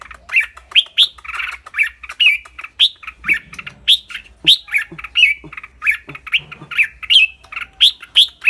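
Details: Red-whiskered bulbul with a clear voice, singing and chattering: a long run of sharp whistled notes repeated about three times a second, mixed with dry clicks and a few fuller squawky notes.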